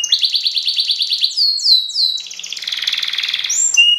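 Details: Canary of the F1 YS line singing a luxurious, competition-oriented song with Cililin-style shooting material: fast trilled series of bright notes, rapid repeated chips, downward whistled sweeps, then a dense buzzy rattle and high rising whistles.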